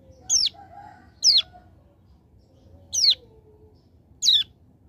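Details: Hill prinia from a mountain area in a tutor recording. Four high, falling, slightly buzzy notes are spaced about one second apart, with faint lower tones between them.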